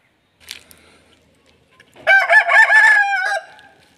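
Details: Aseel rooster crowing: after a faint short note near half a second, a loud harmonic crow starts at two seconds, holds and wavers for about a second and a half, then drops away.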